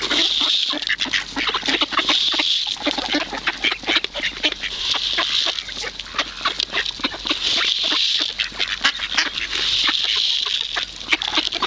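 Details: Greedy, hungry ducks jostle for food at Kirchsee lake, Preetz, Germany; a long, unbroken chorus of rapid quacking and scratchy chatter from many birds, loud throughout.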